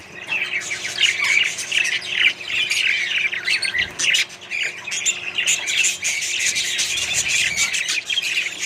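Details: Many budgerigars in a mixed-bird colony chatter nonstop; a broad wash of twittering, scratchy warbles and short squawks with brief dips in loudness.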